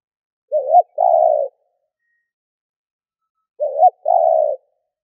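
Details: Decoy spotted dove cooing to attract wild doves. Two matching phrases about three seconds apart, each a short hooked coo pair followed by a longer deep, steady note.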